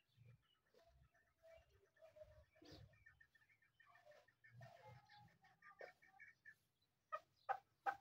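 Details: Male and female partridges (desi teetar) calling while fighting: a fast series of short, clear tonal notes in a mid-high register, mixed with low thumps, ending in several loud, sharp notes.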